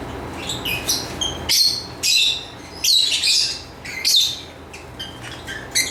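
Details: Lovebird chirping in a rapid, uneven series of shrill, high-pitched notes and short squeaky bursts, some clustered in pairs, with brief pauses between bouts and a faint steady hum underneath.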